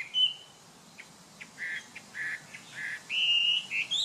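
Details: Chinese hwamei giving short, burry notes spaced about half a second apart, then breaking into a sustained clear whistle and rising twisted phrases.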